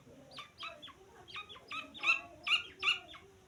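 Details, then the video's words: Grey francolin chick peeping: bright, high chirps that drop slightly in pitch, repeated roughly two to three per second and growing louder toward the end. "तीतर का बच्चा आवाज़"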